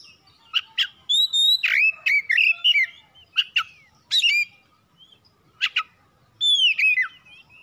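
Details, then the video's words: Song of a home-kept oriental magpie-robin, or kacer, played to trigger singing. Lively phrases of sharp ticks and clear rising-falling whistles come in three bursts separated by short silences. "PANCINGAN CEPAT PAGI SIANG MALAM KACER RUMAHAN CEPAT GACOR"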